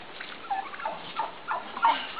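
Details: Midget White turkeys mating, a receptive hen and a displaying, dancing tom; short bursts of gobbling, warbling notes near mid pitch, several rising in loudness toward the end, over a quiet background.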